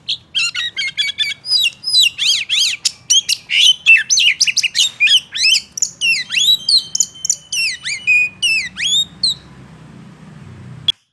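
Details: Kacer (oriental magpie-robin) singing a provoking song meant to anger other males: fast, continuous run of loud sharp chirps, buzzy trills and sweeping whistled slurs, several notes per second, ending abruptly with near silence.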